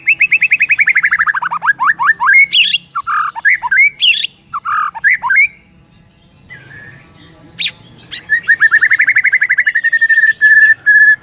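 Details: Morning master song of a white-rumped shama (murai): fast descending note series, then varied sharp whistles and squawky phrases, ending in a long rapid trill of repeated notes.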